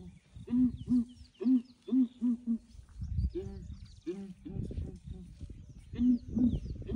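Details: Ground hornbills calling one morning as a breeding herd of elephants approaches to investigate; low resonant hooting notes delivered in rhythmic bursts of four to six, with rumbling and rustling between groups.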